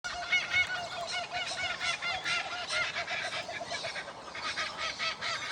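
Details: A chorus of Laughing kookaburras heard on a morning walk in Australia gives rapid, rolling hoots and cackles rising into a loud raucous laugh, repeated without pause, with several birds overlapping.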